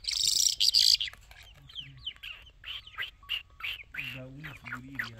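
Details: Irani jal bird singing: a bright, buzzy burst opens, then quick high chirps and short rising-falling whistled notes follow about four per second, with low droning background sounds near the end.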